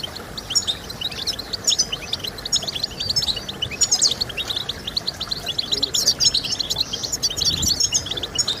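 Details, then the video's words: European goldfinch song for motivating goldfinches to sing: fast, tinkling chatter of high chirps and brief trills, growing busier near the end, with a faint low murmur in the background. "I Discovered the SECRET to Stimulating Birds with Goldfinch Sounds!"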